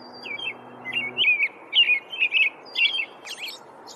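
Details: American robin with a few warbling, slurred phrases run closely together, ending in a thin, high, scratchy flourish; quiet low hum underneath.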